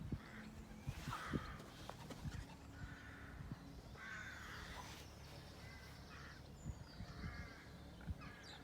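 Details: Birds on a farm in a relaxing outdoor scene: rasping caws in bursts alongside brief whistles and high twitters, over steady low rural background noise and occasional knocks.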